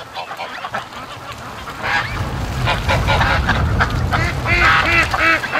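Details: Free-range domestic ducks, the whole flock of a 650-plus flock, in the morning rush to the lake: bursts of harsh, nasal quacks overlapping more densely toward the end, over low rumbling and handling noise from a shaking camera.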